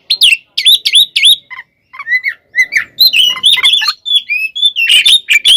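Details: Provocation fighting song of an oriental magpie-robin (kacer): repeated harsh downslurred notes, then softer lower whistles and a busy stream of mixed chirps and trills.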